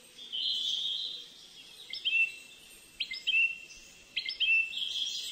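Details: High twittering goldfinch song from a captive-bred male-line Moroccan and female-line Algerian bird born 10 June 2013: sustained buzzy tones broken by clusters of sharp descending chips roughly once a second.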